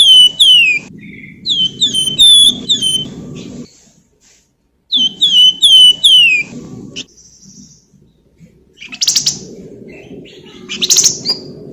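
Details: A lively golden-bellied gerygone sings with clear, sweet, piping whistles, each sliding down in pitch, delivered in rapid strings of about six notes. Harsh chattering bursts and a dull background rumble follow. The song is used to get other birds singing.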